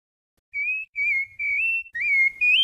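A rufous-bellied thrush sings five clear, fluted whistled phrases in quick succession, each about half a second long, some gently rising and the last climbing higher.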